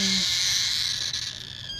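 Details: Cockatiel chick, kept as a pet, crying like a baby: a continuous harsh, raspy hiss held for nearly two seconds, steady then fading slightly at the end, with a brief low hum at the start.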